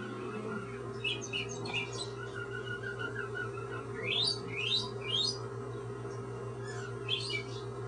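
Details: Pet cockatoo kept indoors, giving short, sweet chirps: quick rising and falling notes in loose bursts, clearest around the fourth to fifth second and again near the end, over a steady low electrical hum.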